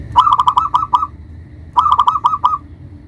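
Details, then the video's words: Local zebra dove, a big-voiced lure bird for calling rivals: two rapid bursts of trilled cooing, each under a second, accompanied by sharp clicking sounds. "Perkutut Lokal GACOR suara Besar Ampuh memanggil Lawan EMOSI MANGGUNG PANCINGAN PERKUTUT LOKAL"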